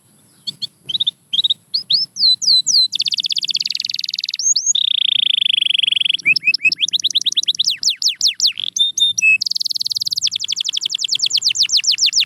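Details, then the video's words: Singing canary: a few scattered chirps give way to a rolling buzzy trill, a long even whistled note near six seconds, then series of quick downward-sweeping notes and a final rapid high roll. "Watch Silent Canaries Start Singing Again – Magical Sound Inside!"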